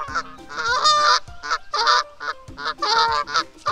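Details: Canada geese honking in a rapid, overlapping chorus, with loud nasal honks repeated several times a second from more than one bird.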